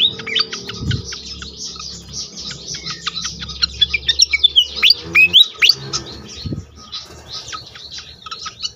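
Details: Pied fantail recorded as a lure to spur other fantails to sing: spaced high chips turn into a fast cluster of squeaky, curling whistles midway, then sparse chips; faint low rumble and two thumps.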